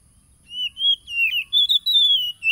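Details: Oriental magpie-robin, song meant to trigger a silent caged wild-caught bird, recorded by phone in Lampung Timur, Indonesia, July 2022: rising whistles followed by a long gliding note and a brief chattering flourish.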